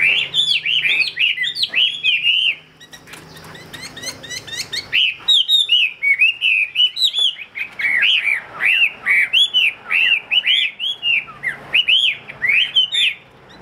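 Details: Captive Chinese hwamei offered for sale delivers a long, energetic song of looping whistled notes, steady rapid phrases with a short lull around three seconds before the run of bright, bouncing syllables resumes.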